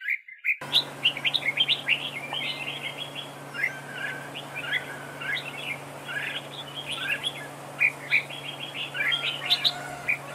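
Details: Red-whiskered bulbul decoy singing in a trap duel, a dense run of short chirpy whistled phrases, repeated bursts with brief pauses, steady low hum beneath.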